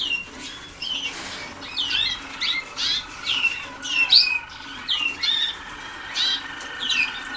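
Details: Waterslager canaries just starting song training: bursts of high chirps and whistled slides roughly every second, uneven and unpolished, over a low background hum.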